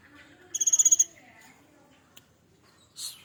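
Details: Young adult cinereous tit, caged and hand-raised from a nestling, sings part of its fill-in song: one short burst of eight quick high pulses, then quiet soft notes, a click and a brief hiss.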